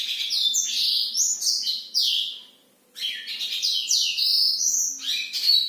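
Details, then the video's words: Black-throated canary in lively song after dark, pouring out rapid chains of high, slurred whistles and trills. A short gap near the middle separates two long, busy bursts. "blackthroat gacor malam hari"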